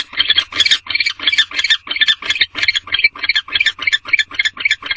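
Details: Barn owls mating inside a nest box in the evening, the male arriving without food; a steady run of fast, harsh, twittering pulses, about three per second, continuing unbroken throughout.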